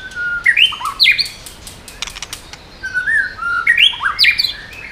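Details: Singing white-rumped shama changing voices to stir up other birds; rich fluty whistled phrases rising and falling, separated by sharp clicks and short pauses.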